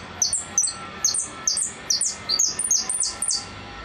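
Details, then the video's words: Goldfinch singing repique: crisp, high notes that drop sharply, grouped in quick pairs and triplets separated by brief pauses, in a quiet setting. "Blanco de repique"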